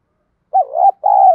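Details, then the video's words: Spotted dove, field-voice song played to stir birds into fighting: a rolling low coo rising at its end, a short break, then a steady hollow coo cut off abruptly. "cu gáy giọng đồng, cu gay kich boi nhanh noi gù"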